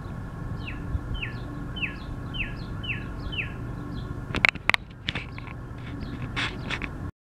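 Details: Spring song of a bright red male Northern cardinal singing loudly: six clear downslurred whistles evenly repeated about every half second, followed by sharp clicks and handling noises.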